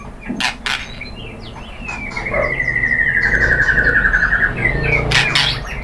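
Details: White-rumped shama song used as a lure to stir another shama into singing: a long, even buzzy trill held for about three seconds, with short sharp notes and clicks before and after.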